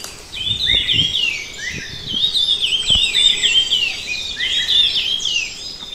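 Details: Red-tailed minla delivering a continuous run of high, sweet, warbled and chattering notes, quick downslurs repeated several times a second, with soft knocks in the background.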